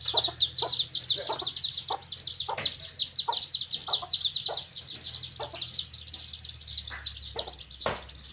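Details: Hen with her coloured baby chicks in a field, the chicks chirping continuously in a busy chorus of shrill descending peeps, while the hen gives short low clucks at roughly regular intervals; low hum in background.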